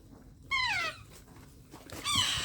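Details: Baby parrot being hand-fed gives two clear squeaky calls, each sliding downward, about one and a half seconds apart, in an otherwise quiet room.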